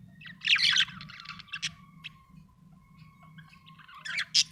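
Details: Chirping from a happy budgerigar: a loud, harsh, chattering burst, then scattered short tweets and a final sharp squawky chirp, over a low background hum.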